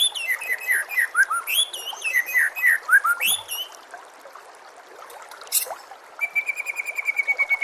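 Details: White-rumped shama song used as a tutor recording to train caged birds: rapid varied whistled phrases with bright slurred notes and high thin trills, then a fast run of repeated sharp notes near the end.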